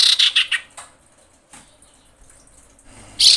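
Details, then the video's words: Female common iora in mating mood, calling the male: three quick, harsh, high chattering notes in a row at the start, then silence, then another loud scratchy burst near the end. "KICAU CIPOW BETINA BIRAHI MEMANGGIL JANTAN"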